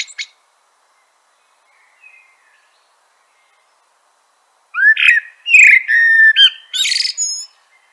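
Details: After a long near-silent stretch with faint distant notes, a common blackbird (Turdus merula) delivers a loud fluty phrase of slurred whistles that ends in a high, scratchy twitter.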